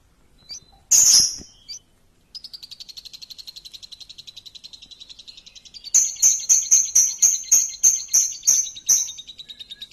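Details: Lure song of a champion lovebird: a loud harsh burst, then a long rapid steady trill of high notes, followed by loud ringing chirps repeated about three times a second.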